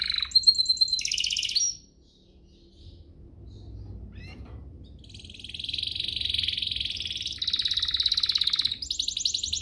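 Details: Canary lure song for stirring other canaries: a loud whistled and trilled opening, then near silence for several seconds, followed by a soft rising buzz that grows into loud rapid rolling trills.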